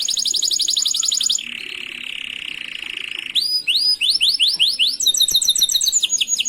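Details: Master canary song for training other canaries: a rapid high trill gives way to a lower continuous buzzy roll, then sweeping upward whistled notes repeated quickly and a bright chattering trill.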